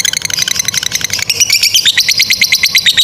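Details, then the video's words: Lovebird ngekek chatter used as a training model for young or stalled lovebirds: rough, rapid pulsed notes that shift into higher, more squeaky repeated chips after about a second. "GACOR SUARA 16a love bird ngekek PANJANG INI Cocok untuk Masteran love bird paud dan Macet"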